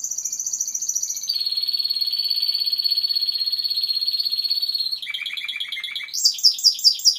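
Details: Timbrado canary singing in sustained tours. A high pulsed roll gives way to a long, even, rapid trill. A lower stuttering series follows, then loud, high, descending whistled notes repeated in a quick rhythm.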